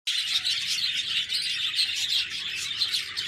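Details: Budgerigars chirping: a dense, continuous wash of high, scratchy twitters and warbles with many overlapping voices and no pauses.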